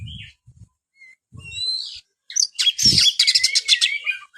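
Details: Oriental magpie-robin (kacer), used to get lazy kacer singing: sparse thin whistles and a few low knocks at first, then a loud harsh buzzy burst followed by rapid rattling chatter over a sustained whistle.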